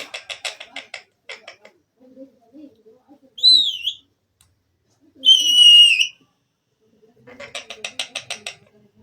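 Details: A pet Indian rose-ringed parakeet, talking and mimicking, chatters in harsh, rapid, speech-like bursts, then gives two loud wavering whistles; soft low murmurs sound in the pauses.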